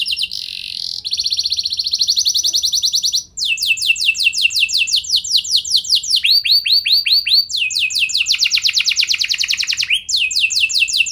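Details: Singing canary used as a lure for other canaries, delivering continuous high rolling trills; rapid strings of downslurred notes shift pitch and tempo every second or two with scarcely a break.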